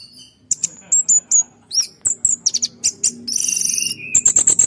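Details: Orange-headed thrush used as a forest lure bird, giving quick high chirps and short whistled phrases, then a rapid buzzy trill and a row of repeated sharp notes over a faint low hum.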